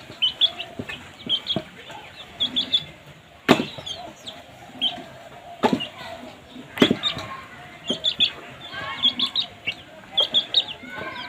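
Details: Baby chicks making noise while feeding: bursts of high thin peeps in groups, mixed with sharp knocks and clattering thuds, plus a faint low murmur in the background.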